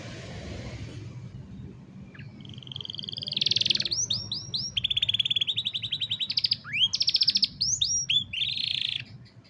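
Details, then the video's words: Canary singing, used to train young canaries and recorded on a phone: begins with hiss and low rumble, then buzzy rolls, upswept whistles and a long fast rattle of repeated notes, quieter and more distant-sounding than usual. "Mejor Entrenamiento Para Jóvenes Canarios | Canary Singing"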